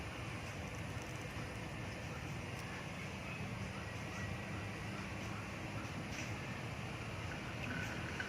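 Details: Steady wind and low traffic-like rumble, with faint voices in the background and no clear animal calls.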